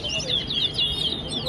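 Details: Brief run of high, slurred whistles from a towa towa competing at Tuschen bird ground in Guyana, Wessequibo style, phrases swooping downward and rising again with soft background noise.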